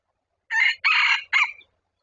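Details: Red junglefowl crowing during decoy trapping of wild junglefowl, a wild bird coming in within two minutes: a three-part crow with a short opening burst, a longer sustained middle note and a clipped final note, against silence.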